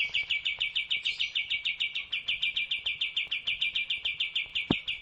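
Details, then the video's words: Sooty-headed bulbul, a tutor recording for training cage birds, giving a long rapid, evenly spaced series of short high chip notes at a steady pitch, with a faint low hum underneath. "masteran burung kastem agarcepat bukor"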